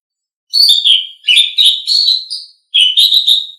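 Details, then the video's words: Asian pied starling (jalak suren) singing for training pet songbirds: loud, rich chattering phrases of mixed whistles and buzzy notes in three bursts, the last after a short pause. "Suara Burung Jalak Suren"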